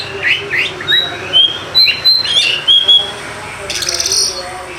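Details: Oriental magpie-robin song used as a lure for birds that rarely sing: rising slurred notes, then pure level whistles in short bursts, followed by a harsh buzzy rasp near the end.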